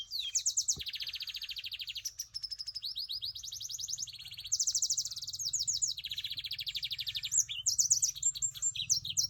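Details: Caged black-throated Timbrado canary mule in Binh Thuan, Vietnam, delivering a continuous song of long rolling trills and rapid rattling tours that shift between pitches, punctuated by sharp chips and rising whistles, over faint low background hum.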